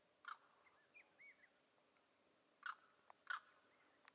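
Neotropic Cormorant giving three short, harsh, croaking bursts, spaced irregularly, with faint thin whistles from other birds between them.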